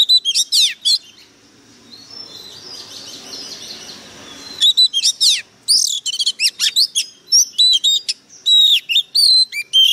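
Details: Oriental magpie-robin kept as a decoy bird, fired up and singing fiercely: a first burst of sharp whistled and chattering notes, a quiet gap, then a dense run of high, clipped whistles and rapid trills, loud and close.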